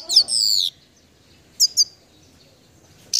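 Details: Singing goldfinch: a high liquid twittering phrase of sweeping notes, then two short chirps and a brief buzzy note in a quiet setting.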